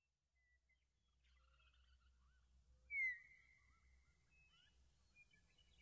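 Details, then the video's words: Meadowlark song: scattered soft slurred whistles, then one loud, clear, downslurred whistle that trails off, followed by more faint whistled notes over a low rumble. "Sounds of the Meadowlark"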